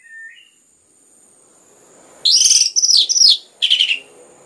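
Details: Orange-headed thrush song used to stimulate other birds to sing: a faint low whistle at the start, then loud burst of varied high whistled and scratchy phrases around two to three seconds, followed by a short rich trill; steady high hum in background.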